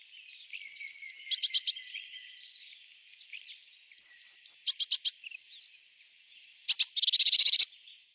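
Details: Eurasian Blue Tit example: thin high notes followed by loud, buzzy, clicking bursts, repeated twice. The clip ends with a long harsh scolding rattle. Faint background hiss and other distant chirps are audible.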